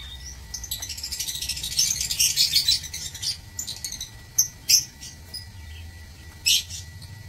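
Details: Lovebirds in a breeding aviary, recorded 16 March 2024: shrill, scratchy high-pitched chattering in uneven bursts, denser early on, then scattered sharp squeaks, with a faint low hum beneath.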